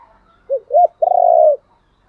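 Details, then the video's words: A spotted dove's lure call: two short rising coos followed by a sustained, rolling, buzzy coo, low and clear against a quiet background. "chim cu gáy thúc gáy gọi bổi rất nhanh về cội/ tiếng chim cu gáy tập bổi và mồi hiệu quả"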